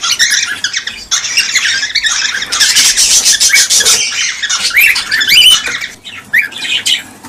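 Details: Cockatiels, used to stimulate pairing and breeding, give dense, harsh overlapping squawks and screeches that run almost without pause, with brief upswept whistled notes breaking through near the end.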